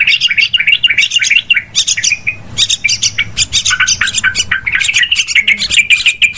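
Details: Yellow-vented bulbul calls played as a trapping lure: fast, overlapping twittering and sharp chips, nearly continuous, with slightly lower warbled notes midway and constant busy chatter.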